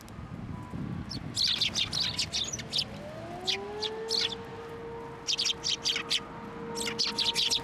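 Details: Hand-fed sparrows at a Tenmangu shrine, December 21, 2023: clusters of sharp, high chirps, joined midway by a smooth rising tone that then holds steady beneath the birds.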